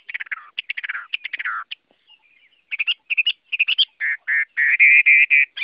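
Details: Chinese hwamei (Garrulax canorus) song with dense scratchy descending warbles, a short pause, then choppy chattering notes and strong repeated slurred whistles building toward the end.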